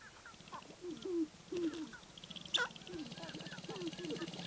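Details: Sharp-tailed grouse near Baudette, Minnesota, giving brief falling whine-like notes and higher chips over a low steady pulsing buzz, with a sharp click partway through.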